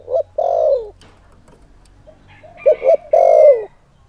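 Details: Spotted dove lure calling to excite wild males, a deep hollow coo pattern: short coo, long descending coo, a pause, then a quick double coo and another long downslurred coo, recorded close and loud.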